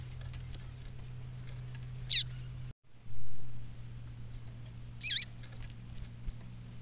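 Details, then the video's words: Female double-collared seedeater calling from the bush, two short piercing high notes roughly three seconds apart, with a low constant hum and a soft thump between them. "Femea De Papa Capim Chamando"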